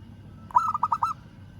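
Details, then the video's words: One brisk phrase from a local zebra dove calling a rival: five rapid, throaty coo notes run together in a rolling trill lasting just over half a second. "Perkutut Lokal Suara Memanggil Lawan"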